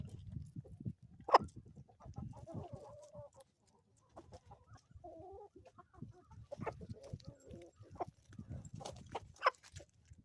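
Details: Homestead chickens in the Ozarks during morning: quiet, low murmured clucks and a few drawn-out tonal notes, with one sharp squawk early and scratching, rustling sounds around them.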